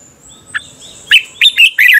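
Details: Red-whiskered bulbul contest singing at dawn, a training lure: a single short note, then three rapid bright warbled bursts in quick succession over a faint, thin background whistle.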